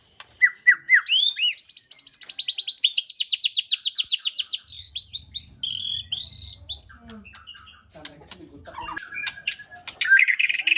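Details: White-rumped shama song opening with whistled notes, then a long even rapid series of high chirps about four per second, followed by varied whistles, clicks and a rising final phrase; faint low rumble in the middle.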